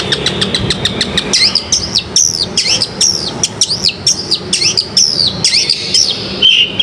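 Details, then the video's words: Bait recording of a long-tailed shrike, played to start a silent bird singing. It opens with fast, clipped rattling notes, then moves into lively, high slurred whistles that swoop up and down in quick succession. "Masteran cendet,Cendetmu diam langsung auto bunyi ,cendet gacor."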